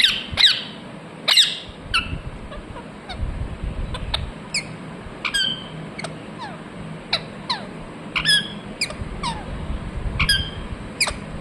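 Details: Ringneck parrot giving a busy run of short downward-sliding chirps, broken by a few loud, harsh squawks, against a faint steady background hum.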